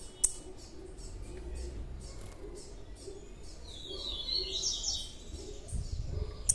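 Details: Large young blue-black grassquit: thin high chirps repeated rapidly, then a brief buzzy, trilled burst in the middle of the clip, over low background rumble.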